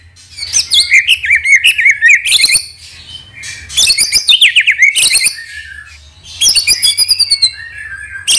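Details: Caged white-rumped shama singing to provoke other birds, in three loud extended phrases of rich warbling whistles mixed with fast high chatter, separated by brief lulls.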